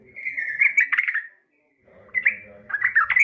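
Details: Yellow-vented Bulbul female calling the male: two bursts of rapid, liquid chattering separated by a brief silence, the second rising into quick bubbly notes, over faint low background noise.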